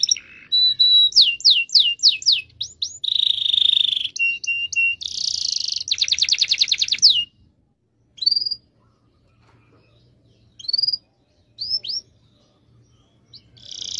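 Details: Canary song meant to lure silent canaries into singing: chirping downslurred whistles, a buzzy note, short steady trills and a long fast roll, then scattered single high chirps separated by silence.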